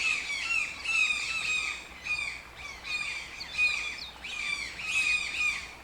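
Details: Toucan giving harsh, raspy squawks in a steady series, roughly one or two bursts per second with brief dips between. The notes are broad and grating, with a thin whistled tone running through them and no other clear sounds.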